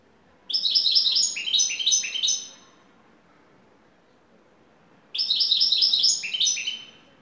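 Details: Şakşaklı-style song of a European goldfinch, a top bird from Turkey: two bursts of quick, high, tinkling notes that step downward in series, separated by roughly three seconds of silence.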